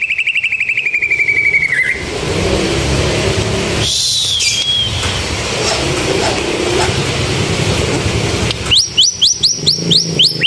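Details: White-rumped shama singing a canary-style song in full voice: an opening rapid trill held near one pitch, then a steady noisy stretch, ending in a fast burst of sharp rising notes repeated several per second, with traffic rumbling underneath.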